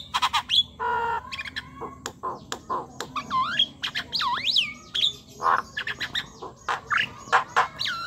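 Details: Talkative Javan myna in full song, meant to coax quiet or young mynas into singing. Rapid jumbled chatter of harsh squawks, dry clicks and twisting, looping whistles runs continuously without pause.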